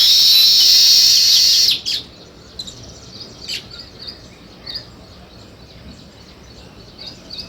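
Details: Sparrow chirping: a loud, dense burst of high chirps fills the first two seconds, then stops abruptly, followed by scattered faint, short chirps at intervals against a quiet background.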